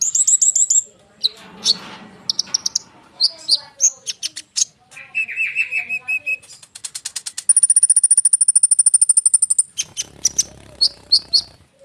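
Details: Konin bird rolling through a dense song used as a lure for other birds; high whistles, fast trills, a long rapid run of identical notes, then scattered chirps.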